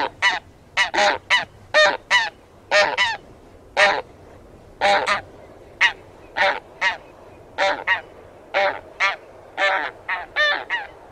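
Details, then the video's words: Taiga bean goose (Anser fabalis) calling: a steady series of short, harsh, nasal honks, often doubled, coming about once a second over a low background hum. "寒林豆雁/Taiga Bean Goose"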